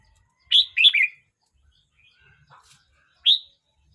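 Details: A Red-whiskered bulbul aged 12 months 29 days sings a short run of three clear, bouncing whistled notes, then after a pause adds a single rising note; soft low murmurs in between.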